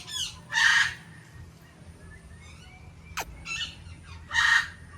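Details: Indian ringneck parakeet uttering two loud, harsh, broadband squawks about four seconds apart, with softer scratchy calls and a brief click between them over steady low hum.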